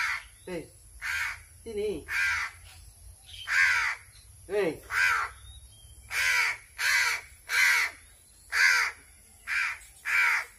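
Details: Crow kept and fed by hand, noisy with hunger: a string of about twelve short, rasping caws, tightening in rhythm, while a man speaks a few brief words early on.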